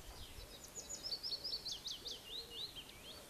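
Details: Cetti's warbler at the Boat House, Wintersett Reservoir, Wakefield, 24 April 2016, bursts into its loud, explosive song: a rapid run of sharp, high notes tumbling over about two and a half seconds, with faint background noise.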